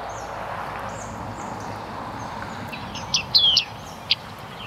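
A bearded tit gives a few short, high, metallic 'ping' notes near the end, over a steady background hiss with faint distant chirps.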